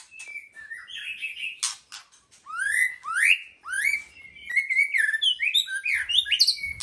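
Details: A white-rumped shama sings sweet drawn-out whistles, then loud upward-swooping notes about every half second, building into a tumbling rapid warble of varied chirps, with a few sharp clicks between.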